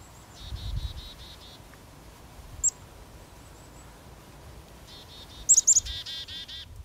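Black-capped Chickadee giving its chickadee-dee-dee call twice: a thin high 'chick-a' followed by a run of five or six buzzy, hoarse 'dee' notes, over faint background hiss.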